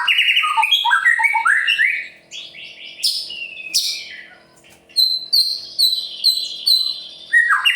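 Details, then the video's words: White-rumped shama in Murai Pastol style, singing to rouse other birds: a loud run of descending and rising whistles, two sharp high notes, then a series of short clipped high notes repeated evenly. "Murai Pastol Gacor Cocok untuk Memancing Burung Yang Kurang Emosi"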